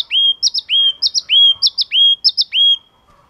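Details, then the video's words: Yellow-cheeked tit singing: loud, clear phrases of a slurred whistled note followed by a quick pair of higher sharp notes, repeated about five times in under three seconds, then silence. "Chim Chi Chi Mào Hót Cực Hay"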